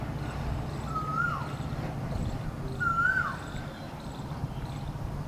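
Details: White-breasted waterhen, recorded 04 06 23 at S Shiv Ngr, gives two drawn-out, mid-pitched notes about two seconds apart, each ending in a quick downward slur, over a steady low rumble.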